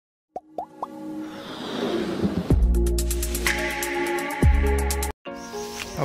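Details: Music with plopping, dripping sound effects and a low bass drone, with no animal voice heard.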